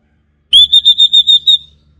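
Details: Pure, high whistled phrase from an orange-headed thrush used as a lure song: seven rapid, even pulses on one steady pitch, then silence. Clean recording with no background.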